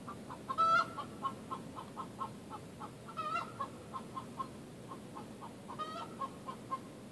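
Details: A Rhode Island Red hen announces a laid egg, hers or a flockmate's, with the egg song: three loud drawn-out squawks roughly two and a half seconds apart, steady clucking in between, all over low constant hiss.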